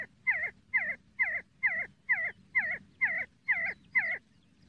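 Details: Nine loud, clear see-see partridge notes, each a short twisting whistle, repeated steadily about twice per second against a quiet background.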